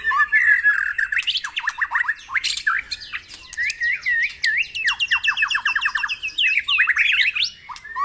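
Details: White-rumped shama singing during morning dew-bathing, used to stimulate caged birds: a fast, loud medley of sharp downslurred notes, chattering bursts and short whistled phrases, delivered in quick succession with brief pauses.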